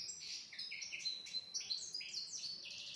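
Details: European goldfinch singing as a tutor recording for young goldfinches and canaries, a dense run of high, jangling chirps, short buzzy notes and quick liquid trills.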